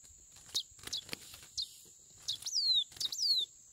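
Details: Chestnut-bellied seed finch singing: sharp short chirps followed by two longer clear whistled notes sliding steadily downward, over a constant high electronic whine.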